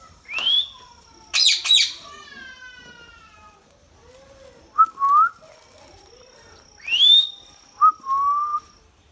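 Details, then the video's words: Indian ringneck parakeet, a talking bird, alternating rising whistles with two rasping squawks that trail into a buzzy harmonic tail, then pairs of short clear whistled notes, with a thin steady high tone in the background. "Talking Parrot sound | Ringnick Parrot natural sound | indian ringneck parrot talking"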